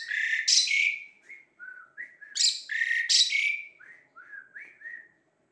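Asian pied starling song: loud, harsh, rasping bursts alternating with short, clear, slurred whistles at a lively, uneven pace. No other sounds.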